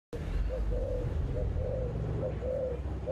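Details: Spotted dove giving 'âm bầu' (thổ bầu) style cooing, recorded on the afternoon of 28 November: mellow low coos in short phrases repeated about every second, over a steady low rumbling hum.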